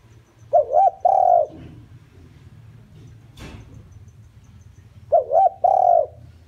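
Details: Decoy spotted dove giving its lure call to attract wild doves: two identical phrases about four seconds apart, each a quick double-looped coo then a longer sustained coo, with a sharp knock in between.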